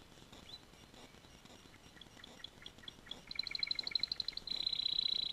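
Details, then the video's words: Canary singing in a noisy room: faint chirps at first, then a rapid rattling trill, then a bright sustained buzzy tour near the end. "singing canary"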